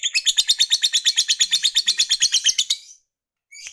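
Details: Fighter lovebird's 'ngekek' chatter, used to excite rival males: a fast, even, buzzy trill of about twenty-five pulses that stops abruptly, then a brief restart at the end.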